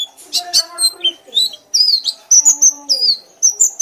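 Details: White-eye with jumbled twittering at first, then a string of high, piercing whistled notes that fall or level off, repeated rapidly in the loud ngekek manner over a low hum.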